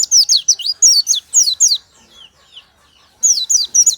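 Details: Oriental white-eye morning song: fast strings of high, clear, downslurred twittering notes, a long burst then a pause of about a second and a renewed run.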